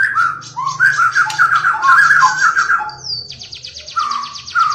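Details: A white-rumped shama delivers rich warbled whistles, then a fast even run of sharp high notes and a return to mellow whistled phrases, with a low steady hum behind.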